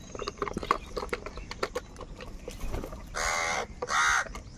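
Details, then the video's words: Crows fighting for food, calling loudly in anger: after a stretch of clicks and scattered chatter, two harsh, drawn-out caws follow one another, the second slightly longer and louder. "Crow birds unity anger and Sound | কাকের ডাক Crow Sound Crow ki Awaz Loudly"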